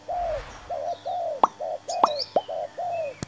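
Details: Close spotted dove used as a decoy bird in trapping, giving a rapid sequence of soft, arched cooing notes, with sharp clicks and knocks sounding between the coos.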